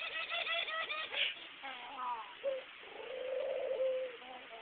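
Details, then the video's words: A pet dove that coos and bobs its head, caught on a cell phone: higher twittering chirps first, then a short low note and one long, smooth, hollow coo near the end. "My Dove Cooing and Bobbing its head"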